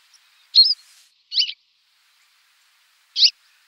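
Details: A western yellow wagtail in France gives three short, high, slurred 'tsweep' calls, two close together and one after a pause, against a quiet background.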